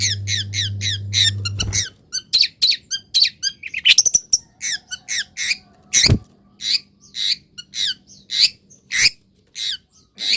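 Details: Caged long-tailed shrike singing a full varied song after being misted and put in morning sun; long run of rapid high chirps, twitters and whistled notes with shifting pattern, a low hum at the start and a few knocks.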